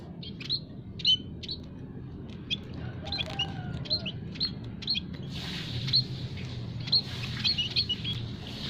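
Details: Several munia types together in an aviary, chattering as a trapping lure; quick high tweets in loose bursts, a brief lower whistled note midway, then denser chirping over a low background rumble.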